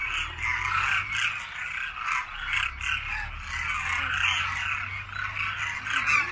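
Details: Winter chorus of Demoiselle Cranes gathered en masse to feed on grain in Khichan village, Rajasthan. Hundreds of rolling, croaky calls overlap into a steady, pulsing din, with a faint low hum beneath.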